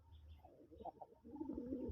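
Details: A big-size sky-blue domestic pigeon, one of a mated breeding pair, gives low, throaty rolling coos, swelling in the second half.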